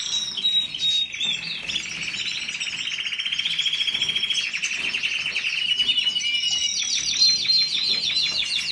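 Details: Long canary song phrase: opening chirps, then an extended buzzy rolling trill that shifts pitch, ending in a rapid series of repeated high sweeping notes.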